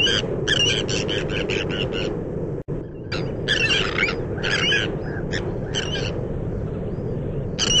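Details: Sandwich terns calling at their breeding colony on Texel in the Netherlands: rapid strings of harsh, rasping notes from several birds, then more spaced, grating calls, with steady low wind or surf noise throughout.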